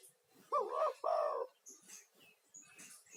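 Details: Spotted dove, an energetic male giving a lure call meant to draw other spotted doves and used to calm stressed doves: two loud, hoarse, mid-pitched cooing notes in quick succession, followed by faint chirps of small birds.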